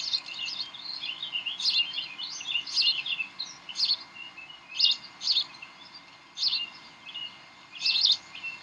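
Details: Decorah bald eagles at their nest, evening of 18 May 2012 near 7:45 pm, tugging and playing; rapid high-pitched chittering that runs almost continuously at first, then breaks into separate sharp bursts about every half second to one second.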